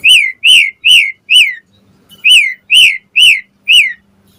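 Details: Asian pied starling repeating a clear arched whistle, four times in quick succession, a short pause, then four more; song used to make other starlings answer.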